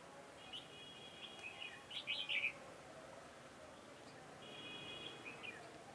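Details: Decoy red-whiskered bulbul for trapping, 4 February 2018: a bright, jumbled burst of whistled notes in the middle, set against a steady thin tonal whine that comes and goes.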